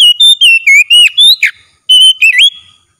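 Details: Oriental magpie-robin singing at full strength in a daily training session: loud clear whistled notes sliding up and down, delivered in quick bursts of about ten notes, a harsh buzzy note midway, then a brief pause before more whistles.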